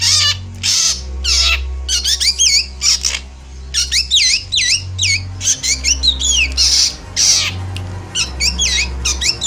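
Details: Javan black drongo in emotional chattering song, used to lure moulting birds: harsh rasping blasts interleaved with quick wavering, curling whistles, repeated in rapid runs, over a steady low hum.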